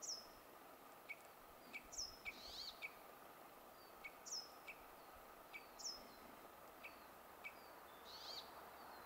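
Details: Wood sandpiper (Tringa glareola) at Kuusamo, Finland, on 24 May 2019, giving sharp, high, down-slurred whistled notes, singly or in quick pairs, every second or so over a steady background hiss.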